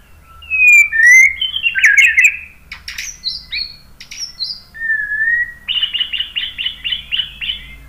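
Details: Song of a white-rumped shama, used to provoke other birds into answering. Varied clear whistles and buzzy notes lead to a long level whistle, then a fast series of about eight repeated chirps.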